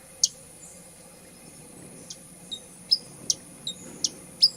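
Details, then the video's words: Hummingbird giving sharp, very high chip notes, spaced irregularly at roughly one to two per second, some with a brief thin whistled tail, over faint steady background hiss. "SONIDO DEL COLIBRI// ZUMBIDO// SOUND OF THE HUMMING BRI // BUZZING OF THE HUMMING BIR"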